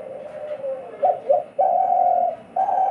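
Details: Two pet hunting (decoy) doves call in turn in a calling contest, one starting as the other stops: low, hollow coos, two quick notes, then a long, steady drawn-out coo and the start of another, over faint hiss.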